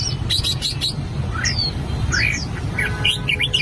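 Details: Albino red-whiskered bulbul training its voice: a few clicks, then separate clear slurred whistles building into a quicker chirpy phrase, with a low hum beneath.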